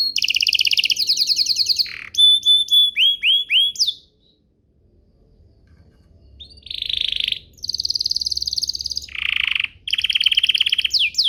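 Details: Canary lure song to prompt other canaries to sing: trills and clear whistles with descending sweeps, a quiet gap of about two seconds, then buzzy rolling trills resume.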